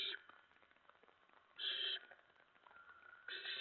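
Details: Owlets in a nest shortly before 2 AM, 10 September 2017, while parents bring prey; three loud, noisy hiss-like bursts, the longest lasting a third of a second, with quiet hum in between.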